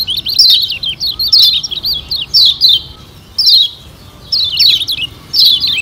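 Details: Song of Lombok yellow white-eye, played as a lure to make birds sing: lively high twittering phrases of quick rising and falling chirps, delivered in clusters with pauses of up to a second.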